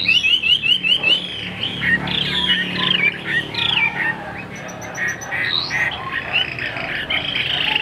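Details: Chinese hwamei in a cage begins with a fast row of identical rising whistles, then runs into a jumbled, chattering warble over a faint background hiss.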